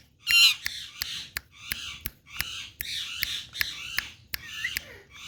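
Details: Harsh raspy squawks from an Indian parrot that is said to be talking, given in short repeated bursts, broken by sharp clicking taps and a faint background hum.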